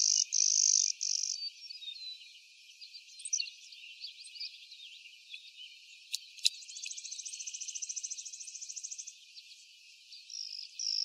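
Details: Clay-colored sparrow recorded 12 May 2023 in Blackman Township, Jackson County, Michigan: a flat high buzz opens, faint chips follow, then a rapid pulsed trill of about two and a half seconds and another brief buzz at the end.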